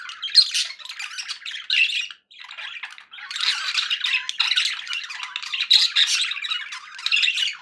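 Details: Contented domestic budgerigars chattering indoors: harsh scratchy warbles mixed with sharp chirps, a clear pause near two seconds, then continuous overlapping calls to the end.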